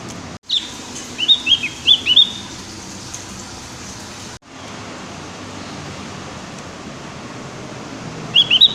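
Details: Javan grey-throated white-eye learning to sing: two short bursts of high, thin chirps near the start, then a long quiet stretch, and a final brief cluster of sharp tweets at the end.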